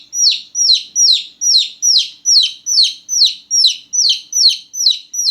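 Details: Small newborn chicks calling loudly at night, giving a regular chain of shrill, descending peeps, roughly twelve in five seconds, each sharp at the start and trailing off lower, in a quiet background.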